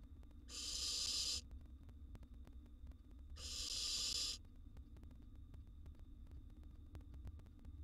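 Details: Wild barn owl nestling in a nest box, feeding on a gerbil, gives two long, harsh, breathy hisses about three seconds apart, each lasting nearly a second. Quiet low rumble between them.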